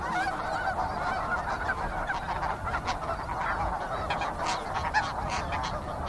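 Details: Busy snow goose flock, continuous overlapping honking chorus with occasional louder yelps breaking through the steady background din.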